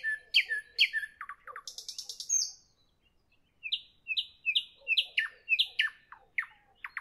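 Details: Evening nightingale delivering loud repeated chirps and quick descending notes, a buzzy rattle, a short silence, then a fresh series of sharp, evenly repeated whistled notes.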